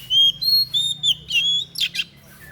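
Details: Unusual song of a white-breasted bird, used for song tutoring: a run of clear, high whistled notes, some level and some gently rising or falling, in short phrases, ending with two harsh buzzy bursts and a softer trailing note.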